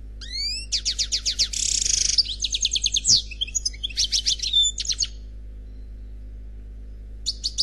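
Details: Khalwi song of an unpaired European goldfinch: rising whistled slurs open a lively sequence of high, rapid trills, a buzzy patch, and scattered chirps, then a pause and a fresh phrase, with a steady low hum behind.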